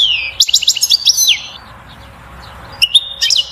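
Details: European goldfinch song meant to rouse a female toward mating and nest building. A quick run of liquid, chattering notes is followed by a pause, then a second short twittering phrase. A faint electrical hum sits underneath.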